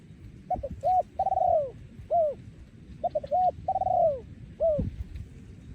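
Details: Spotted dove breeding male in 2023, song style โยนคูอ่าง: two repeated phrases, each of short clipped coos, a prolonged burry coo sliding down, and an arched closing coo, with faint clicks and low background rumble.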